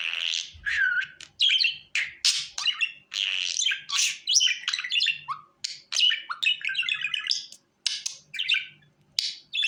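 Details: Budgie hand-calling sounds: a lively budgerigar warble mixing descending whistles, grating squawks and fast rattled trills, nearly unbroken for ten seconds with a few brief pauses.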